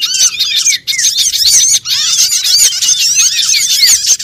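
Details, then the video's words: Lure recording of small birds used for trapping, packed with sharp high squeaks and twittering chirps that overlap constantly, briefly dropping out twice before the busy chatter resumes. "suara pikat burung kecil MP3 paling ampuh"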